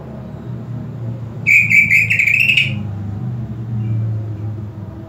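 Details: Greater green leafbird, a kept bird whose owner aims to raise its excitement and breeding drive, delivers a fast run of about eight clear, high whistled notes, slightly rising toward the end, over low room hum.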